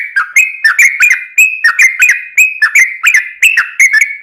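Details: Yellow-vented bulbul singing energetically as a lure for other birds: quick chattering whistles, each note clipped at the start and gliding, delivered in a jaunty, uneven rhythm.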